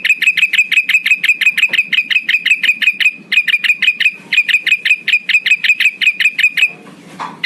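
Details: Male black-headed bulbul luring rivals: long bursts of quick, uniform metallic chips separated by brief gaps, ending in a soft rustle.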